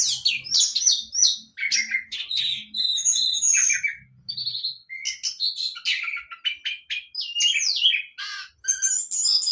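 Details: Young orange-headed thrush in learning song: a long, busy run of mixed whistles, chattering notes and slurred phrases, rich in mimic-like variety, with faint low room noise.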